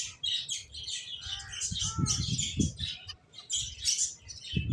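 Finches chirping in a busy flock, a dense chatter of short high twittering notes, with low thumps and rustling from birds moving about close by.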